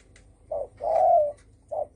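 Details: A single spotted dove coo phrase in the thổ sấm style, used to provoke rival birds: a brief soft note, then a drawn-out, rounded, mellow coo, then the next short note beginning.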